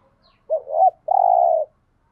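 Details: Spotted dove coo for stimulating other doves: a rising, wobbling opening note running into a long level hum of low pitch, one full phrase in a quiet setting.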